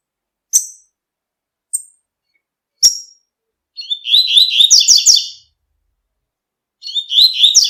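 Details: Three sharp, high single chips from a double-collared seedeater in nature, then a long, rich tui-tui song phrase of rapid warbled notes, and the start of another phrase.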